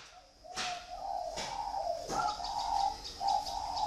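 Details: Kept dove cooing in long, smooth, low rolling notes that run almost unbroken, with three sharp tapping clicks near the start.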